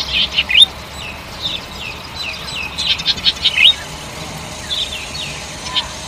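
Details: Golden-headed cisticola singing melodious phrases: soft clicking notes building into rising whistled upslurs, repeated in several short bursts with a faint low background hum.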